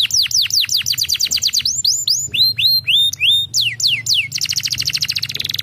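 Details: Canary song used to stimulate lazy canaries to sing: fast series of repeated downward-swept whistled notes, then looping rising-falling phrases, ending in a rapid buzzy trill; faint low hum underneath.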